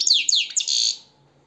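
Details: European goldfinch singing indoors: a short burst of bright, twittering notes with quick downward slurs, followed by a buzzy sustained phrase, then quiet with faint low room hum.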